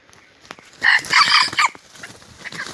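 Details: Red junglefowl from Aceh, a first-generation lure bird, giving one short, hoarse, broken crow lasting under a second, rising in loudness then cut off, over quiet rustling background.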